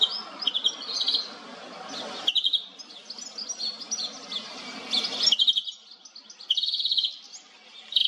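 European goldfinch song: a fast, bright, tinkling run of high twittering notes and liquid trills, with a soft low rumble of background noise.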